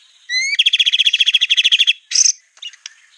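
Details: A white-rumped shama master recording for training birds opens with a thin rising whistle. A dense, regular burst of high pulsed notes follows, about seven per second, and then a harsh rasp and a few soft chips.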